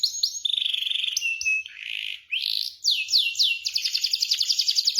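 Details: Canary singing, offered to get stalled canaries singing rolls: fast pulsed notes, a sustained warbled whistle, a burry slur, then descending swoops into a rapid rattling roll.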